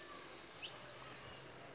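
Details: Goldfinch bursts in with a few quick falling twittered notes that run straight into a steady, rapid, buzzy high trill.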